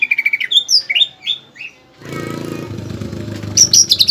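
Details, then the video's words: Greater green leafbird tutor song with pelatuk bawang content; repeated high chirps and downward-slurred whistles, then a stretch of rattling notes over a broad background noise, ending in more high whistles. "PANCINGAN DAN MASTERAN CUCAK IJO GACOR ISIAN MEWAH PELATUK BAWANG"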